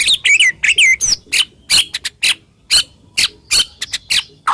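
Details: White-rumped shama song of rough, sharp shots, played to stimulate other shamas to sing: two looping whistled phrases, then a string of short harsh chattering notes spaced about a second apart.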